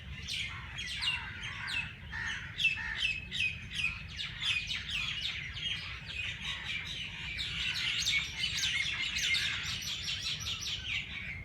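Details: Early-morning chorus at Race Course Jilani Park, Lahore: a long run of quick, sharp chirps repeated irregularly, building into a dense high twitter toward the end.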